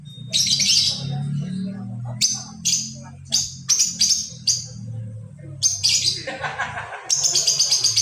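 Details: Lovebird giving a ngekek-style chatter used as a lure to set off other birds: bursts of rapid high chirping trills separated by short gaps, ending in a longer scratchy run, with a low hum underneath.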